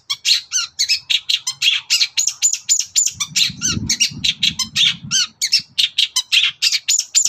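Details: Long-tailed shrike in full morning song meant to make other birds answer: a continuous, rapid stream of harsh chattering and squeaky notes, with a low rumbling background midway through.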